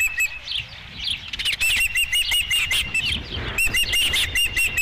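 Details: Osprey at the nest on 5 July 2016 with the first fish: excited, clipped whistles in rapid irregular bursts, some wing flutter, then a steady chirping run.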